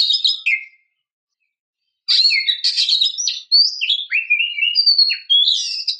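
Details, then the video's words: A female Oriental magpie-robin, used to lure and stimulate males, sings a brief whistled phrase, pauses, then a long run of varied clear whistles, rising and falling slurs and scratchy notes. "kacer ngeplong santai"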